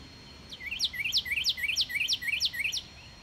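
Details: A yard northern cardinal singing on 29 March 2019 gives a rapid run of about eight clear, steeply down-slurred whistles, each ending in a short low hook, three per second, over faint background hiss.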